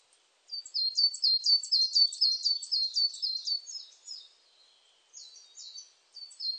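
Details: A coal tit sings a long, regular series of thin, high, rhythmic double notes for about four seconds, then softer fragments follow. The setting is otherwise quiet.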